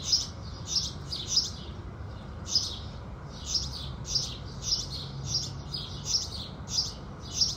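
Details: Sparrows of the house species chirping with the rising sun: crisp high chirps spaced about half a second to a second apart in an even, persistent series, with soft steady background noise.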